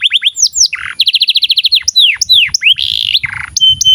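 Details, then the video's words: Canary singing as a teaching recording for juvenile and silent canaries: quick falling whistles, a chattering buzzy phrase, an even run of rapid notes, deep swooping slurs and a trilled section, with faint low background rumble. "SUARA BURUNG Kenari GACOR PANJANG INI Cocok untuk Masteran KENARI PAUD dan Kenari Macet BUNYI"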